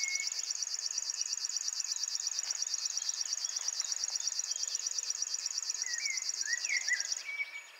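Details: A singing male river warbler at RSPB Ham Wall in early morning gives high, dry, rhythmic buzzing without a break, insect-like and fast-pulsed. A few short whistled notes from another bird come in near the end.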